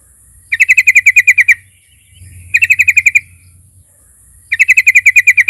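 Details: Chattering fighter-style lure song of a yellow-vented bulbul, a fast, buzzy run of about ten even pulses repeated in three bursts roughly two seconds apart, with a thin steady high whine underneath.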